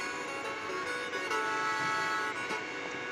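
Steady tonal humming, like music or engine drone, with no animal calls.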